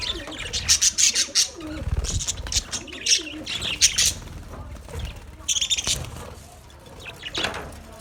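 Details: Budgerigars in a colony call in quick, piercing chirps and squawks in irregular bursts, then the flock chatter fades to softer twittering toward the end.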